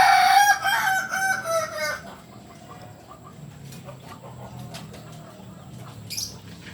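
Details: Rooster of the Kokok Balenggek breed from Solok, West Sumatra, crowing in a run of loud, harmonically rich syllables lasting about two seconds before fading into quiet background rustling and faint clicks.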